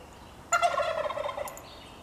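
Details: Narragansett turkey, about one year old, gobbling: one loud, harsh, rapidly rattling gobble lasting about a second, rich in overtones, followed by a faint thin squeak over a quiet background.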